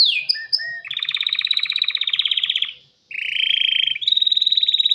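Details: Male canary singing to attract a female for mating: a few slurred notes open into a long buzzy pulsed roll, which fades, breaks off briefly, and resumes as a second rolling trill shifting to a higher pitch.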